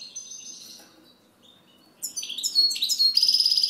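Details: European goldfinch singing: soft drawn-out high whistles, a short pause, then an abrupt, lively run of tinkling, descending twitters ending in a fast buzzy rattle.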